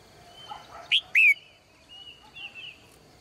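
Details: Female bird in a cage, morning: one bright two-note chirp, a short note and a longer downward sweep, framed by soft warbling notes and faint background birds.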